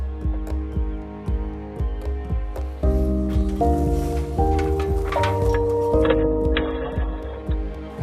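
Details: Instrumental music with sustained chords and plucked notes, with no animal voice audible.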